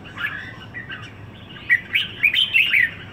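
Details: Brief passage from a caged red-whiskered bulbul (merbah jambul) kept in Singapore for a week: soft warbled notes, then a quick series of loud, clear whistled chirps in the second half.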